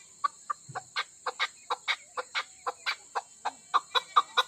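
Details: A kept female Chukar partridge from Pakistan, Koh-i-Suleiman type, gives a string of short, hard clucking notes about four per second, steady and even, over a faint constant electronic whine.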